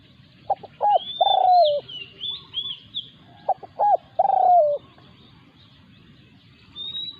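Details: Wild resident spotted dove confronting a decoy dove on its territory in Thailand. Two coo phrases, each two clipped notes and a long drawn-out descending note, about three seconds apart. Faint high bird whistles are in the background.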